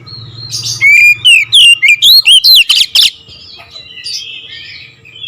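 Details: Oriental magpie-robin song in the nembak ngerol style: one loud run of about ten sharp whistled notes with up-and-down slurs, ending in a harsh note, then faint background sounds.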